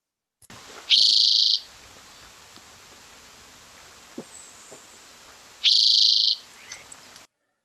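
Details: Spotted towhee (Pipilo maculatus) song, a xeno-canto recording: two dry, buzzy, high trills, each about half a second long and roughly five seconds apart, over faint hiss and quiet ticks, with other birds in the background.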